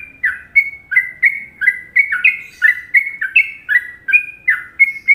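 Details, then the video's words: An Indonesian sooty-headed bulbul sings the popular Trucukan tune, a lively stream of bubbling, falling whistled notes, roughly one or two per second, closely spaced and clean against silence. "Masteran Trucuk Indonesia"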